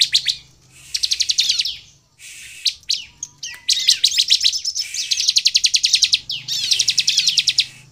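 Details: Sunda bush warbler song recording used as a lure to provoke other birds into singing: rapid, high chattering bursts of trilled notes, each about a second long, with brief pauses between.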